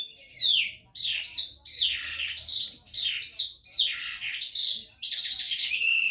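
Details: Newly arrived caged Calandra lark singing at night: loud, scratchy descending chirps and buzzy slurred notes delivered in rapid bursts about every second, each burst falling in pitch, with faint low background hum.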